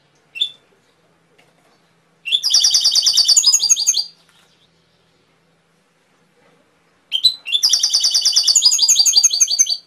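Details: Canary song arriving in two bursts of rapid, high rolling trills, each about two seconds long, separated by a long quiet gap, with one short chirp at the start.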